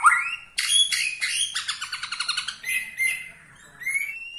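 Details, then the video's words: Borneo white-rumped shama with a song style said to enrage other shamas: a sharp opening note, then rapid pulsed and trilled phrases, a short pause, and rising whistled notes at the end. "gaya murai BORNEO bikin murai lain Naik darah"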